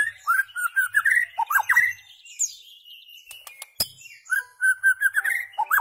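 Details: White-rumped shama song meant to teach goldfinches and hybrids rare notes: rich whistled phrases sliding around middle pitch, a pause with a sharp click, then more looping whistles.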